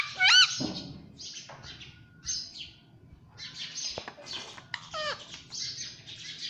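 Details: Talking pet parrot, said to repeat "mummy papa"; opens with a sharp, clear harmonic call, then scattered softer chirps and short squeaky notes over a low background hum.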